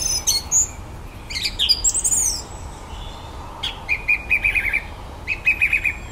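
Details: A common blackbird singing at the bottom of a garden in the evening, its song full of imitated electronic noises: high whistled slurs and squeaks, then short rapid trilled bursts repeated near the end.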